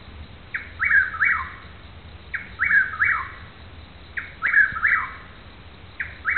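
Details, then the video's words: Chuck-will's-widow at night in Newton County, Arkansas, unseen, repeating its loud, clear, rolling three- to four-part whistled phrase about every two seconds against a quiet background. "chuck will's widow"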